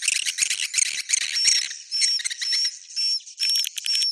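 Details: Swiftlet roosting call in the Bhayangkari style: fast, dry clicking chatter with dense high chirps, giving way to buzzy bursts broken by short, pure whistles that slide upward.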